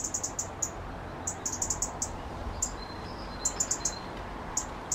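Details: A resident robin, stirred up by two rival robins nearby, repeats rapid clusters of high, piercing tick notes, each burst of three to five clipped sounds, with a faint drawn-out thin whistle in the middle and low steady background noise.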